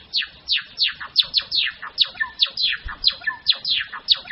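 A Java sparrow sings a quick run of bright, clicking chirps, each sliding downward, about three to four per second without pause.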